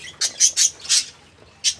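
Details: Parakeets in a small kept colony, 14 January 2025, giving five short sharp squawking notes, four in quick succession and one after a pause, over a quiet background.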